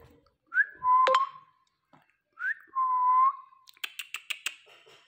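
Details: Pet Indian ringneck parrot, prompted by its owner to speak, gives two clear whistles, each a short upward slide followed by a steady held note, then a rapid series of sharp clicks.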